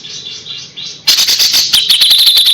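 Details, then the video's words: Kapas tembak, a songbird used as a tutor for young white-rumped shamas, gives a thin high warbled phrase, then a rapid run of sharp clicking, rattling notes at a steady fast pace. "KAPAS TEMBAK GACOR JEDA RAPET"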